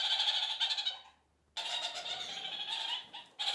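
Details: A flock of kakariki in one of their several daily group chatter sessions, chattering in dense, harsh, high, scratchy bursts, broken by a brief silence before the noisy chatter resumes.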